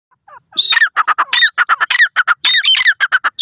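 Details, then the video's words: Francolin (teetar) calling loudly: harsh, squawking notes repeated in quick bursts, several rising and falling strokes packed closely together with short gaps, and no other clear sounds. "milan teetar awaz,only teetar sound,teetar awaaz video"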